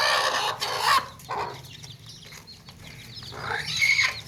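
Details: Hens clucking with chicks in a tokri, a woven basket: several loud rough calls and noisy bursts, with faint high chick peeps behind them.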